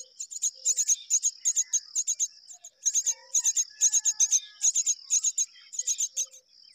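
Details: Myna couple rearing babies together: groups of quick, scratchy high chirps in short volleys with brief gaps between, over a constant thin whine and a few soft lower notes.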